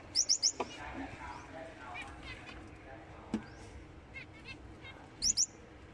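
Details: Finch giving sharp, high, downward-swept chirps in a quick burst of three at the start and a pair near the end, over a murmur of low background sounds and softer harmonic notes.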